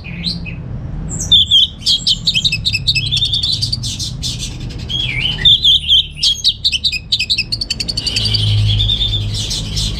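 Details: Orange-headed thrush kept in Singaraja, Bali, singing: a brief low note, then a long, dense stream of quick, high twittering and trilled whistles with short clicky notes mixed in, nearly unbroken, over a low rumbling hum.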